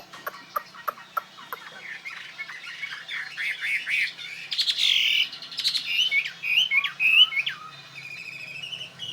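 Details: Fighting Chinese hwamei, a tame bird of northwest Vietnamese origin kept in Saigon: evenly spaced clicks open, then a loud, fast jumble of looping whistles and twisting phrases builds and rises.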